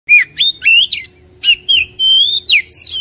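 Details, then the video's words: Oriental magpie-robin song used as a lure recording to prompt lazy caged birds to sing: loud, clear whistled notes slurring up and down in quick, varied phrases, with a brief quiet gap midway before the song resumes. "HARIAN GUNAKAN PANCINGAN KACER INI | KACER MALAS BUNYI CEPAT GACOR"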